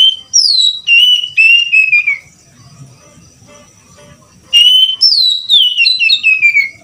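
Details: Oriental magpie-robin song of clear whistled notes that slide downward in pitch, a pause, then a second run of descending whistles, with a faint thin steady tone in the background.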